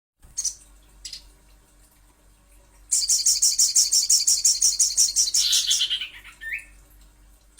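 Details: Little spiderhunter used as a lure recording to prompt calling: two short high chips, then a fast run of sharp high-pitched notes, about three per second, for three seconds, ending in a brief rising whistle.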